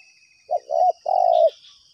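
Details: Spotted dove calling in answer to a lure during dove trapping at two trapping grounds: one soft coo, a short pause, then a longer, slightly falling coo, over a steady high insect drone and faint chirps of other birds.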